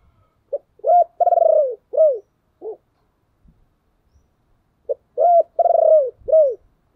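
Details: Decoy spotted dove calling, used to lure wild doves: two cooing phrases about four seconds apart, each a short opening note, two longer throaty coos and a falling closing note, in a quiet setting.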